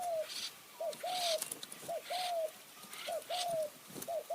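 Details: Spotted dove decoy in mountain forest near Kanchanaburi, Thailand, calling to draw in wild doves in the khu-ang and nun-ang styles. Short clipped coo followed by a longer falling coo, repeated in an even rhythm.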